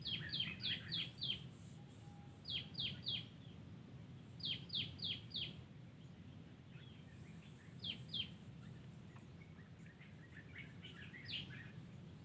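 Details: Yellow-vented Bulbul in the wild, giving repeated runs of three to five bright, downward-slurred chirps separated by short gaps, with fainter scattered notes toward the end and a constant low rumble beneath.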